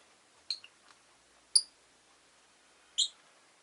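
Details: Three brief, sharp, high chirps from a rosy-faced lovebird, each a clipped squeaky note about a second apart, in an otherwise quiet setting.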